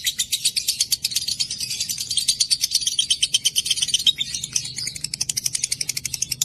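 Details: Long ngekek chatter from a lovebird, played to coax caged lovebirds into singing: dense, shrill, rattling chips delivered very fast and continuously for over six seconds, with a low steady hum underneath.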